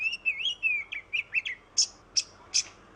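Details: Oriental magpie-robin used to coax silent birds into song: a wavering whistled warble with short slurred notes, followed by three evenly spaced harsh, explosive calls.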